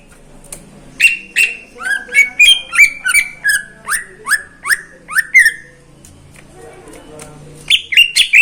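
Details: Greater green leafbird in a neighbour's cage singing in the morning: a long run of about thirteen evenly spaced falling whistles, each with a click at the start, then a brief pause and more notes.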